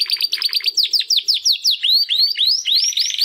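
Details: Two young male Timbrado canaries, brothers singing for the first time after their first molt, give a fast steady sequence of loud downward-sweeping whistled notes turning into upward-curving ones.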